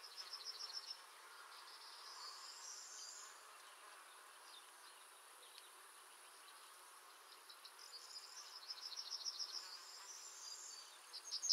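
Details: Yellowhammer (Emberiza citrinella) song: a fast run of thin, high, buzzy repeated notes, given twice, with a brief sharp note at the very end.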